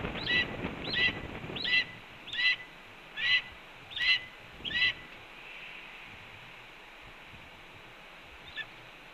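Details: Red-tailed hawk at a Cornell nest, April 7, 2013, calling as breakfast is brought: seven evenly spaced hooked notes in the first five seconds, then near silence with one faint final call.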